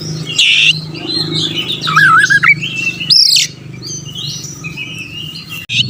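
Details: Oriental magpie-robin (kacer) singing to stir up rival birds: a rasping burst, then a long warbling phrase that wobbles up and down, a sharp upswept whistle, and softer trailing high notes over a low background hum.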